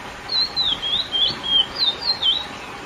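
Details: Lesser seed finch (curió), classic song to excite females: slow, pure whistled notes, each gliding down then rising, about seven in under three seconds, sweet and clear.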